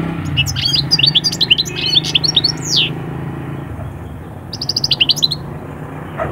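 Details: European goldfinch song, said to rouse birds from moult into the summer mating season: three seconds of fast twittering ending in a falling slurred note, a pause, then a short burst of even repeated notes over a low steady hum.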